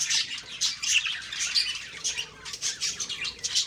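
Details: Budgerigars on an October 2, 2023 morning, giving short bursts of bright, scratchy chirps, about two or three each second, with brief quiet gaps between.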